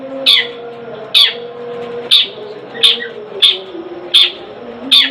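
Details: Household long-tailed shrike kept caged, repeating a sharp, piercing high note roughly every three-quarters of a second, seven in a row, each a short harsh stab, with a low droning hum underneath.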